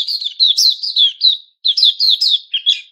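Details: White-crowned shama (Puteh Raja) during its feather moult, 6 September 2021: two short phrases of clear, slurred whistles rising and falling, separated by a brief pause.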